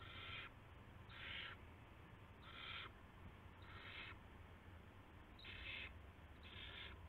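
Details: Owl at a nest, with a male bringing a rat before dawn on March 9, 2016; six harsh, hissing screeches, each about half a second long, come at irregular intervals over a steady low hum.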